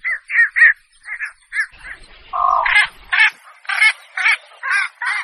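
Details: Javan pond heron lure calls, a run of rough croaking squawks in quick pairs and singles, with a brief low buzzy note and faint rumble midway.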